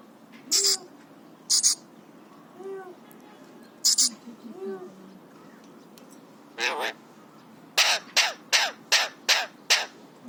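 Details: Excited, happy pet Alexandrine parakeet aged three, imitating coughs, whistles and screams: sharp, harsh bursts, widely spaced at first, then a rapid run of six near the end, with faint low murmuring calls between.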